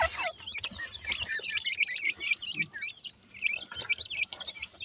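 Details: Young grey francolins at feeding time chirp busily in high, wavering notes, tumbling over one another in a near-continuous chatter.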